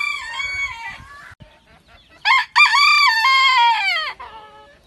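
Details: Rooster at a breeding farm in Ponta Porã, Mato Grosso do Sul, Brazil: a fading crow, a short pause, then a loud, rich crow with bright stacked harmonics, rising briefly and sliding down over about two seconds.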